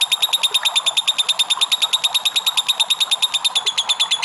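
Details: A lovebird's long ngekek chatter, a very regular machine-gun run of shrill clicking notes, about seven each second, steady in pitch from start to finish.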